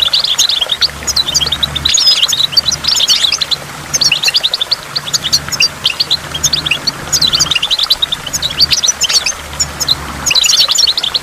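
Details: At a waterfall with water drops, goldfinch twittering runs on for over ten seconds: dense, fast high chirps and trills in repeated phrases, a faint low hum beneath.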